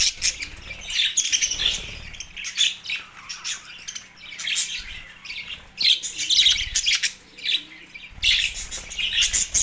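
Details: Budgies caught up in mating excitement in Larkana, Sindh, March 9, 2024: bursts of squawky chatter and high chirps come in waves, separated by quieter gaps of a second or so.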